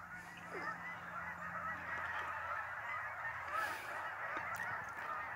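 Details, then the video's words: Migrating geese at Lake Champlain in northern New York: a large flock gives a dense, continuous chorus of overlapping nasal honks, steady in loudness throughout. "Migrating Geese-Lake Champlain-Northern NY"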